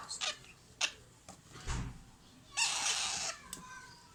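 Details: Alexandrine parakeet chicks being fed by hand: soft clicks and faint noises, then one harsh, raspy, broadband screech lasting under a second, followed by a short tick. Quiet indoor background.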